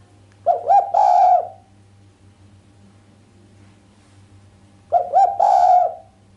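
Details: Two cooing phrases about four and a half seconds apart from a female island collared dove, sharp and without the 'kuk', meant to stir the male; each has two short rising notes and a long coo, over low hum.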